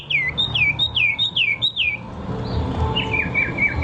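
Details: Bird song of five or six loud falling whistled notes in quick rhythm, followed by a softer short run of thin repeated notes; low background noise.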